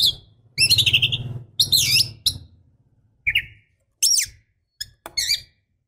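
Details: Female Oriental magpie-robin calling to a male: short bursts of high, sweeping chirps and scratchy rising notes, several separated by brief pauses, over a steady low hum.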